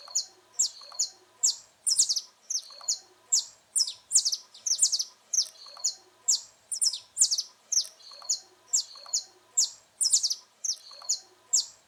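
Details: A saffron finch (Brazilian canário-da-terra) sings a steady run of sharp, high chipping notes and bright clipped phrases, about two a second; the recording is meant for training young birds.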